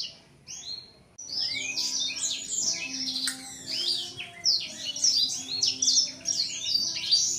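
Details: A seven-month-old male blacksang kept in a cage sings while opening its wings toward a female; after two short notes, a long dense stream of high chirps, trills and twittering slides, with a faint steady hum behind.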